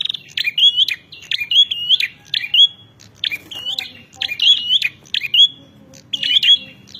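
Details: Bar-winged prinia song used for challenging rivals: repeated short phrases of sharp notes and clear whistled upslurs, bursts grouped roughly every second with brief pauses between.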